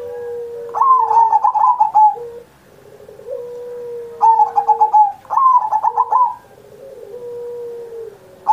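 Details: Zebra dove, a kept songster, cooing as a master recording to spur other doves: three bursts of quick pulsed, rolling coos about two seconds apart, with drawn-out whistles from other birds between them.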